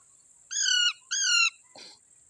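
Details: Two loud, harsh squawks from wild parrots playing in a lemon tree, followed by a brief scratchy noise, against a steady high background hiss.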